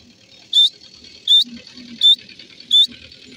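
A francolin gives short, sharp, squeaky notes that rise at the end, about one every three-quarters of a second, over a low background hum.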